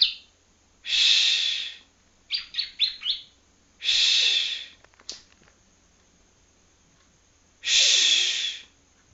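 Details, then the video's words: Young yellow-bellied prinia from Palembang practising its song. Three loud, harsh buzzy bursts, each about a second long, are separated by pauses, with a quick run of four thin chirps between the first two. "anakan ciblek kuning palembang blajar bunyi"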